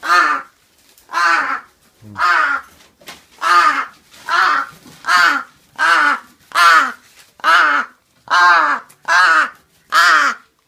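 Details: Crow calling repeatedly while waiting to be fed: harsh, hoarse caws, about twelve in eleven seconds, each broad and grating with a slightly falling tone, evenly spaced with short silences between.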